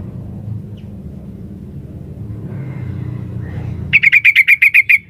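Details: Female sooty-headed bulbul calling to a male: quiet low rumbling background, then near the end one fast burst of about eight sharp, clipped chattering notes, slightly falling in pitch.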